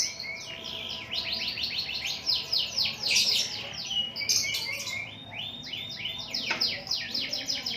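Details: Vigorous canary song: a dense, rapid rolling trill of high chirps about four per second, with louder buzzy bursts midway and a steady chattering run to the end.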